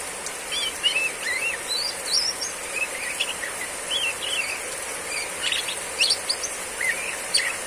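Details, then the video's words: A female oriental magpie-robin sings riwik ngeplong in a heavy downpour, giving varied short whistles, upslurred notes and sharp chips in bursts over constant rain noise. "kacer betina riwik ngeplong saat hujan deras"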